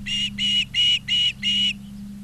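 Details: Osprey at its Montana nest in Charlo, recorded August 20, 2023, in the afternoon. Five loud, even whistled notes come at a steady beat, each about a quarter second long, over a low mechanical hum.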